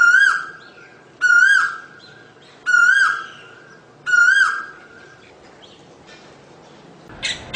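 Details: Asian koel repeating four ringing, upward-bending whistles at even intervals, followed by a pause and a short burst of noise at the very end.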